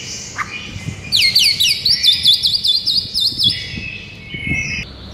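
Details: White-rumped shama singing in the morning, a fast run of repeated rising chirped notes around five per second, followed by a held buzzy note.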